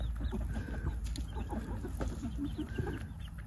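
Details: Backyard free-range Swedish flower hens feed and pick the ground clean, giving soft low clucks and murmurs scattered among the flock, with pecking and rustling underneath.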